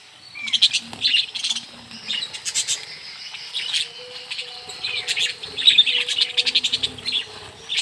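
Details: A flock of budgerigars in a mini aviary, chattering continuously at feeding time. Dense high chirps and clicks overlap, with faint wing flutters and soft background hum.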